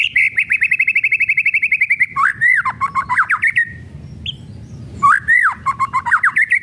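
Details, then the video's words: White-rumped shama giving its crackling kretekan song: a fast, even run of sharp ticking notes, then loud swooping whistles and rising and falling slurs, a short pause, and more whistled phrases. "KRETEKAN MURAI BATU MEMANCING EMOSI PALING TOP"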